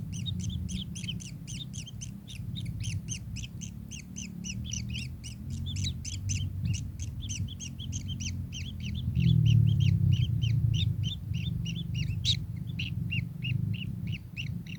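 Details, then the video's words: Long, continuous kingfisher chatter: dense strings of sharp high notes repeated several times a second, briefly thinning near the end, backed throughout by a low humming, rumbling noise. "burung tengkek"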